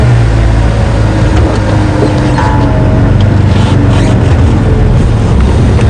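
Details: Loud, constant vehicle engine rumble throughout, with no animal sound.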